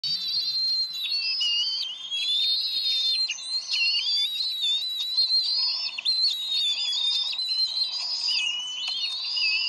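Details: Bald eagles at a nest in Decorah, 30 May 2012: after the male brings a fish, the pair argue and the female wins and feeds it to the eaglet. Continuous high, thin whistled piping with rising and falling slurred notes.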